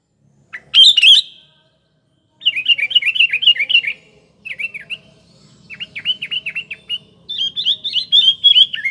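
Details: Sooty-headed bulbul, a lively singer used as a lure for morning, afternoon and night: one bubbly phrase, then long runs of rapid, wavering chattering notes and trills, nearly continuous.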